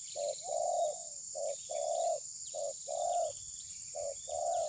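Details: Spotted dove (terkukur) decoy in a trapping session, recorded on a phone, not attacking its opponent. Four repeated phrases, each a short coo and then a longer, fuller rolling coo, roughly one phrase a second, with a constant high insect drone.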